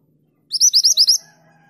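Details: ['A female mountain mantenan calls the male with one brisk, loud string of about six sharp, rising chirps lasting under a second, followed by quiet.']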